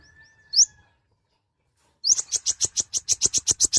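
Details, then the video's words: Small kolibri ninja, the mouse-colored sunbird, used as beginner training song: one sharp upswept note, a quiet gap, then a steady fast series of high chipping notes about five per second. "Kicauan suara burung Kolibri Ninja(konin) gacor untuk pemula/bahan"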